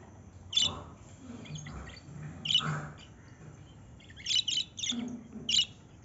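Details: Lovebird chirps, sharp and shrill, in scattered bursts with a quick run of squeaks near the end, over low rumbling background sounds.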